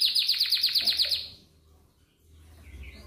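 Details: Atlantic canary singing in the morning to prompt other canaries to sing; a fast run of repeated high downslurred notes for about a second, then quiet with faint low hum.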